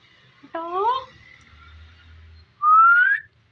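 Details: Ringneck parrot kept as a talking pet, whistling indoors: one short rising whistle with a falling overtone, a pause, then a longer, louder whistle sliding steadily upward.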